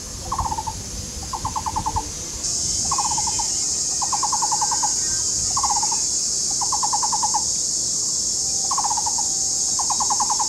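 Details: Taiwan barbets, a pair courting in a duet near their tree-hole nest in a nature park in Taishan, Taipei County, Taiwan: hollow, wooden knocking notes in quick bursts alternating short and long, over a steady loud insect drone.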